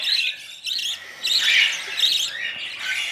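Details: Hand-fed budgerigar chicks beg for food formula with rough, grating squawks in repeated bursts, the loudest near the middle, against a constant background hiss.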